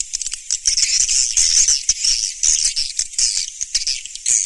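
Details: Swiftlets in the Surya Mentari call style, 2019: high, crowded twittering with rattled clicks and trilled buzzes swelling and fading continuously.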